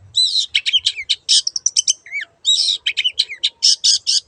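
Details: Long-tailed shrike pouring out a rapid, harsh chattering song: scratchy buzzy notes mixed with quick high chips and a few falling whistles, nearly continuous.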